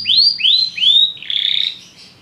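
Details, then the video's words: Belgian canary phrase: three clear upward-sweeping whistles in quick succession, followed by a short rapid buzzy trill that fades out. "Canários belgas atraem o som das canções preguiçosas dos canários"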